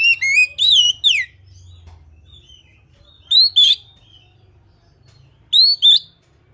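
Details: Indonesian kacer, the Oriental magpie-robin, with a quick run of rich whistled notes at the start followed by paired sharp rising whistles at intervals, quiet low hum in the background.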